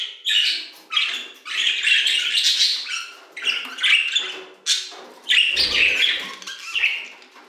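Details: Aviary budgerigars singing, scratchy warbled phrases in bursts of about a second separated by short gaps, several birds overlapping, a soft low flutter late on.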